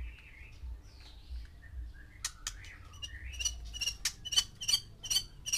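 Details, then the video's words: Captive white-rumped shamas, one male with six females, sounding off to stir mating arousal: soft slurred whistles, then sharp high chirps and harsh buzzy notes repeated rapidly, over a low background hum. "MANCING BIRAHI 6 MURAI BATU BETINA DENGAN 1 JANTAN"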